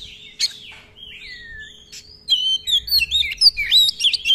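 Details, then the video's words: Lure song of an Oriental magpie-robin with long rolls and many fill-in phrases: a few drawn-out descending whistles, then a rapid run of bright, high twittering notes in quick succession. "Pancingan Kacer Gacor ROLL Panjang-Panjang, Dan Lagu Isian Banyak, Cocok Buat Masteran Kacer Anda."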